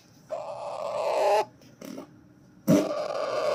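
Alexandrine parakeet chick giving harsh, rasping begging calls in two drawn-out bursts of about a second each, with a brief grating call between.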